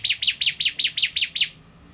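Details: Fast series of seven sharp, high, chirping notes from a bar-winged prinia kept as a tutor bird for training other songbirds, evenly spaced about five per second, then quiet.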